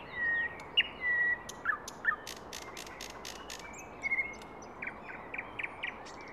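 Thrush nightingale song: drawn-out pure whistles, then a fast run of dry, loud clicks and short chirped notes, over a steady hiss of background noise.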